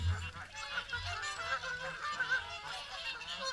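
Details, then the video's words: Swans gathered for the morning feed at WWT Caerlaverock give a dense, overlapping wash of honks and bugling notes, quieter than the low rumble at the start. "Morning Swan Feed"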